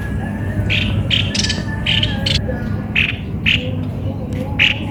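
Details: Cucak kopi-kopi repeating brief harsh squawks in loose groups, accompanied by a faint steady whine and low background hum.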